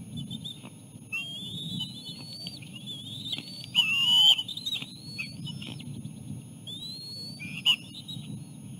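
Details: Osprey at a nest during feeding of the chicks with a small fish; scattered rising whistles and a few sharper, louder piping notes over a steady low rumble.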